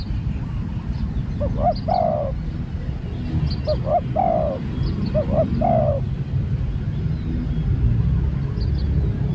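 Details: Spotted dove, new bird on a training outing, repeats three somewhat distant cooing phrases about two seconds apart, double note plus drawn-out coo, against a strong low rumble and faint high bird chirps.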